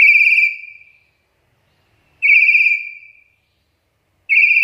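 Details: Black-capped lory, a vocal bird used as a lure and training call: harsh, buzzy, slightly wavering screeches, each about a second long, repeated roughly every two seconds on a steady high pitch, with clean silence between calls.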